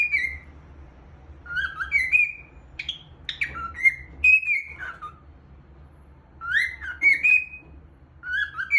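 A cockatiel sings a warbling run of clear whistles, rising and falling with short chirps between.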